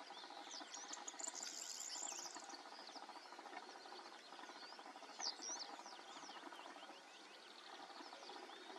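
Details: Barn swallow twittering at Warta Mouth National Park: a fast, scratchy stream of high chirps and slurred notes over a steady background hiss.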